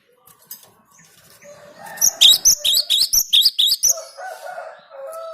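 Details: Cinereous tit song used for luring birds: a loud run of about nine high, sharp two-part notes repeated rapidly over two seconds, with fainter lower tonal sounds before and after.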